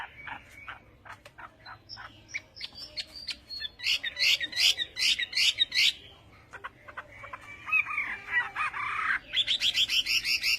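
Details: Chinese hwamei singing Vietnamese-style at a lower level over steady background hiss: short sharp notes and bursts of rapid chirps, with a wavering whistled phrase near the end.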